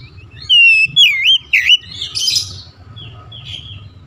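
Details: Oriental magpie-robin giving a loud burst of fluty, twisting whistles, then softer scratchy and buzzy notes trailing off, with a low room hum in the background.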